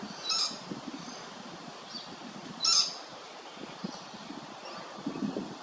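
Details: Lewin's honeyeater in Hervey Bay, Queensland, giving two loud, clipped, high notes roughly two seconds apart, with fainter similar notes between them and soft low rustling throughout.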